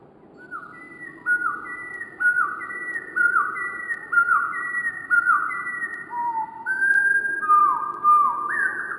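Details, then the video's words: Wren song slowed down into a chain of long, level whistles that step up and down in pitch, each starting with a quick rising slide, one after another for nine seconds over faint low rumble. "Wren Birds Singing with Amazing Slowed Down Audio - Bird Song"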